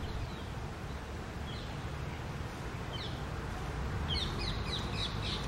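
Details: Rose-ringed (Indian ringneck) parakeets: a tail-less female said to be saddened by losing her tail and a male encouraging her; short, high chirps, sparse at first, then a quick cluster of notes near the end, over a steady low rumble.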